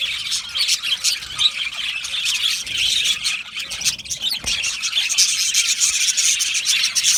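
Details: Australian budgerigar colony in an aviary, loud continuous chatter of chirps, squeals and squawks, rapid and irregular, with a brief low thump midway.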